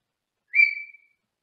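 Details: One clear, high whistled note from a pet Senegal parrot in a small cage in another room. It starts strong and tapers off over about half a second in a quiet room.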